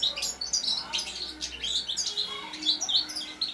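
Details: Young European goldfinch fledgling singing, used to stimulate other birds to sing: a rapid, busy run of high twittering chirps and tinkling notes, continuous throughout with brief trills.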